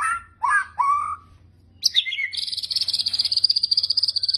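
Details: White-rumped shama kretekan song for training and provoking birds: three short curved whistles, a pause, then a sharp note leading into a long fast rattling trill.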